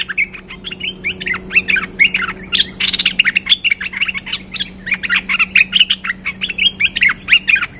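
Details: Cream-vented bulbul lure song, called a lively, chatty singer: a long run of quick, bubbling warbled notes in short bursts, with one sharp crackling click partway through and a soft constant hum beneath.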